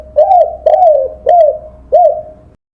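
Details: Spotted dove cooing, a recording meant for training songbirds: four soft, rounded coos, each swelling and then dropping in pitch, spaced roughly every 0.6 seconds, with no other sounds.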